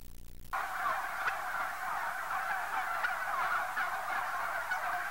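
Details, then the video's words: Turkeys kept inside a growing house, a dense flock chorus of overlapping chirping and gobbling calls forming a continuous band of sound, with scattered sharper notes rising above it. "Turkeys in Growing House"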